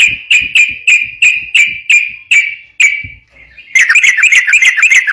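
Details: Lively sooty-headed bulbul song used to lure and train other bulbuls: evenly spaced short whistled notes about three per second, a brief pause, then a faster tumbling burst of chirpy notes.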